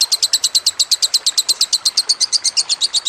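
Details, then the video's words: Lovebird tutor song with trickling water: a long, shrill chattering trill of about eight sharp, high notes per second, steady throughout, over a soft hiss of trickling water. "Masteran Lovebird"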